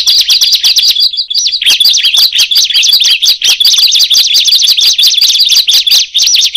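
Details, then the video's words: Bar-winged prinia calling, with others joining in after it called; after a short pause come dense, high, looping chirps in quick overlapping runs, bright and metallic. "Awalnya Dikira Ciblek Biasa Setelah Berbunyi Yang Lain Jadi ikutan Berbunyi"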